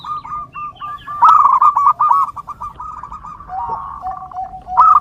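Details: Zebra dove song used to train and lure perkutut. Long runs of quick, rolling cooing notes, loudest near the middle, then a lower drawn-out tone trailing at the end.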